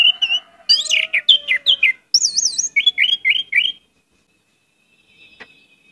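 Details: Orange-headed thrush in full gacor lure song, rich with isian: rapid varied whistles, a warbling wavy trill, then a run of four quick downslurred notes before quiet.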